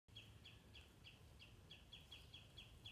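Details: Common redshank alarm calling loudly from Stornäset on Alnö, Sweden, on 13 July 2019, warning as a sparrowhawk lands near its chicks; sharp clipped notes repeated about three per second, over low rumbling wind noise.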